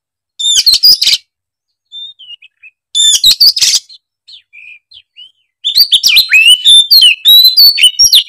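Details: Oriental magpie-robin (kacer) singing in excited gacor style, unloading its isian repertoire: three loud bursts of varied whistles and harsh rapid notes around one second long, separated by quiet soft chirps, with a fast jumbled phrase at the end.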